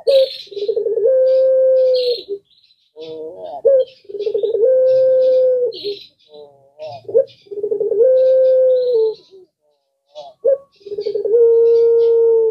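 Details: A puter pelung dove, recorded as a collared dove, gives long, drawn-out level coos near one pitch every few seconds, with short lower notes between; its call is said to make other birds answer, and faint chirps of other birds are heard.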